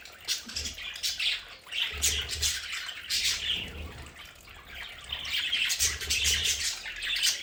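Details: Domestic budgies in their play area at home produce dense squawking chatter in repeated bursts, with low thuds between phrases.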